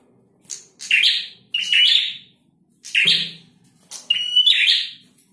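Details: Male Bar-winged Prinia delivering spaced harsh buzzy bursts, about four loud rasping phrases with a short steady whistle near the end, separated by brief silences.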